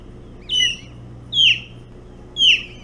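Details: Osprey at its Hog Island nest during an early-morning bullhead feed on 11 June 2017; three strong, piercing whistles, each sliding downward, spaced about a second apart against faint low droning.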